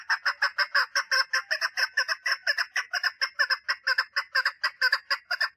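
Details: Continuous rapid chatter of a female chukar partridge calling for mating, harsh rasping clucks delivered about twice per second without pause.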